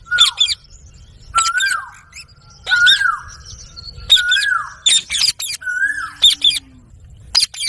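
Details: Parrot, called mithu, giving soft calls: short notes that slide up then fall, about every one to one and a half seconds, each followed by a burst of high chattering squeaks.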